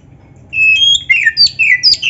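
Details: Clear, sharp whistled notes from a black-breasted Oriental magpie-robin in a recording made to train captive birds, a long level whistle followed by quick bright slurs and chirps in short repeated bursts.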